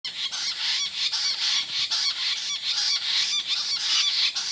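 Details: Jungle bush quail (Perdicula asiatica) in Nilgala Reserved Forest give a dense, unbroken chorus of high, harsh overlapping notes, pulsing slightly about twice a second.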